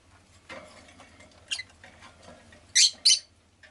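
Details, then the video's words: Rustling and shuffling sounds, a faint chirp, then a pet rosy-faced lovebird gives two loud, harsh, scratchy chirps in close succession. "Lovebird Chirping Sounds"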